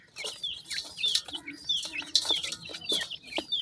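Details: Mikado pheasant chicks brought out by their mother for a feeding; high, thin downslurred peeps overlap in quick, uneven bursts, with sharp clicks of pecking at feed between calls.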